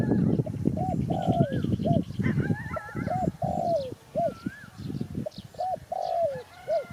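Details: A spotted dove gives soft, hollow, low coos in quick repeated phrases, while other birds whistle faintly behind.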